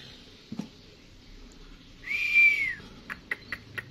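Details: Young canary, its song practice called lolohan, giving a single drawn-out whistled note that rises slightly and then falls, followed by a few short chips in a small indoor space.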